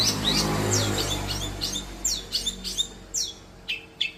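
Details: Young long-tailed shrike kept by a bird keeper, being conditioned to sing freely: sharp downslurred whistled notes, sporadic then clustered toward the end, over a low steady hum.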